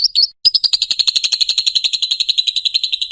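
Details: Lovebird ngekek, a long chattering trill used to train and provoke other lovebirds: after a brief high chirp and pause, rapid harsh pulses repeat about four per second, steady and high-pitched.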